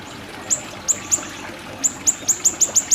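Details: Siri-siri song as a training recording: short, piercing, high downward-flicked notes, a few spaced ones, then a faster even series near the end.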